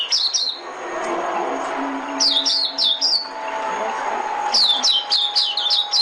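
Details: White-eye decoy song for bird trapping: short clusters of high, rapidly falling tweets at the start, middle and end, with a low hum beneath.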